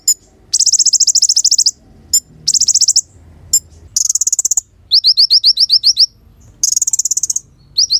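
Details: Sunbird in lively song for training other songbirds: repeated very high rattling trills, isolated sharp clicks, and a run of rapid down-slurred notes before another trill.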